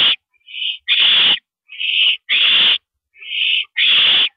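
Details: Harsh owl screeches at a mouse delivery, April 13 2012, 9:17 PM; softer hisses alternate with louder rasping bursts, six in about four seconds.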